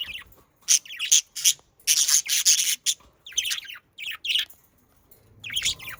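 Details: Budgerigars, kept as pets, in lively chattering song: loud, harsh bursts of high squawky notes in rapid groups, separated by brief silences, with fast descending twittery phrases between them.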